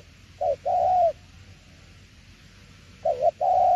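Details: A spotted dove in "tiểu liên nova" style gives two low, hollow phrases about two and a half seconds apart, each a short wavering note followed by a long, level, gently falling coo.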